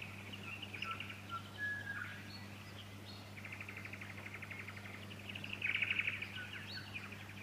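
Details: Fuscous honeyeater recorded in Victoria, Australia, in September 2019: a few clear whistled notes, then repeated fast rattling trills, the last one loudest, with a constant low hum beneath.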